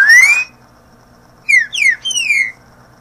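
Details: Green-winged saltator song meant for teaching fledglings to sing: a rising whistle at the start, then after a pause three rich downslurred whistled notes, the final one drawn out; low hum behind.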